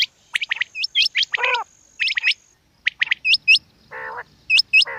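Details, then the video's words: Female quail: quick clusters of sharp chirps and hooked rising squeaks, then longer hoarse nasal notes, with a high steady tone in the background. "Batair Ki Awaz Quail Sounds bedana ovozi Bedana makiyon bedana sayrashi bedana sayroqi"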